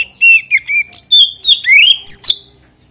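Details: Oriental magpie-robin song meant to make other magpie-robins sing along: a continuous phrase of loud whistles, a level note followed by sweeping rising and falling slurs and crisp high overtones, lasting about two and a half seconds.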